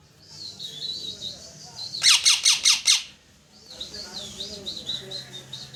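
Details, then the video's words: Very loud parrot chirping: warbling high whistles, a rapid run of five harsh, grating squawks, then more wavering whistled chirps. "parrot Chirping sound very loud"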